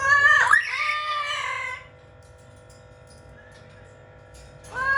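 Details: A single loud, harsh, harmonic call from a blue-fronted amazon parrot, described as talking funnily, lasting nearly two seconds and bending downward. A quiet stretch with steady hum follows, then another call begins.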